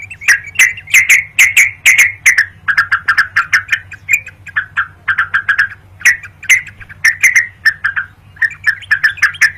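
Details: Rapid-fire yellow-vented bulbul song used as a lure and a fighting challenge; continuous clicky, bubbly notes come in quick groups of three or four over a low background hum.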